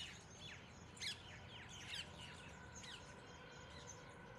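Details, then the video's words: A group of mynas calling together: overlapping harsh chirps and short squawks sweeping downward, with louder bursts near one and two seconds, then scattered calls over a steady low rumble of background noise. "Myna Birds groups..."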